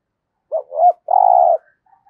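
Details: Decoy spotted dove in the 'giọng thổ' voice style: a quick hooked note, a swelling second note, then a sustained, steady, low coo, with faint soft sounds after.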